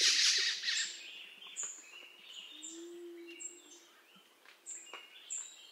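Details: Black-throated magpie-jay (Calocitta colliei) opens with a loud, harsh rasping burst, followed by thin, high chips and whistles about once a second over a faint low hum.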